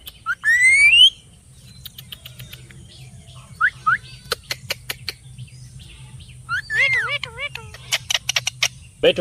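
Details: Parrot calls in a natural setting: a sharp rising whistled squawk, then scattered clicks and short chirps, later a cluster of wavering, warbling notes and a final loud squawk, with a steady low hum throughout.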